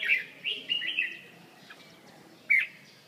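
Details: Red-whiskered bulbul from central Vietnam, a few quick whistled chirps in the first second, silence, then a single sharp bright note near the end; fairly soft overall.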